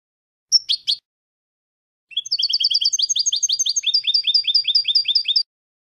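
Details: Goldfinch song for training young goldfinches. Three short, sharp call notes come first, then after a silent gap a long, fast twittering series of paired high notes, steady and metallic, lasting over three seconds.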